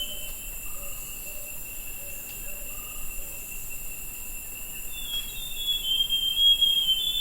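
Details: Forest scrub robin recorded 20 August. A series of short low hooting notes comes first, then near the end a bright, varied whistled phrase rising and falling, against continuous insect drone.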